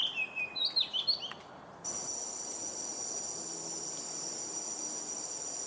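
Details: An Oriental Magpie-robin calls in the background in Singapore during the afternoon heat. It gives a quick run of varied, sweet whistled notes for under two seconds, then a steady high insect drone fills the rest.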